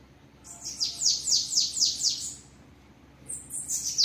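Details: Bananaquit giving the trilling 'treme treme' song, recorded at a house: a quick series of thin, high, falling notes, then silence, then a new phrase beginning.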